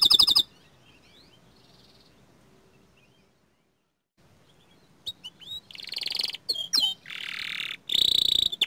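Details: Young canary, small standard type: a brief loud trill, several seconds of near silence, then bursts of buzzy rolls and chips returning with a ringing trill at the end.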